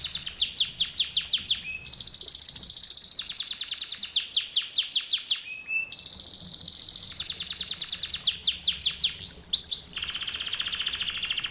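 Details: Canary singing as a training lesson for canaries: alternating fast trills and dense rolls, short whistled slides between phrases, with a long buzzy high tour at the end.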